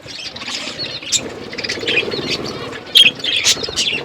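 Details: Budgies eating food make soft, scratchy chatter that builds into a few sharper high chirps near the end, over a quiet rustling background.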